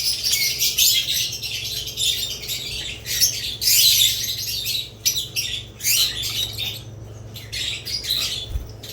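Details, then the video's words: Budgerigars with lovebirds: bursts of high, scratchy squawks and rapid chirps from several birds, separated by brief quieter gaps, loudest near the start and around four seconds. "Budgerigars lovebirds Chirping Sounds"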